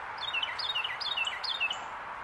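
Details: Carolina wren perched on a branch, singing in Pennsylvania in January 2024; a rapid rolling phrase of quick whistled downward slurs repeats about six times in two seconds over a steady background hiss.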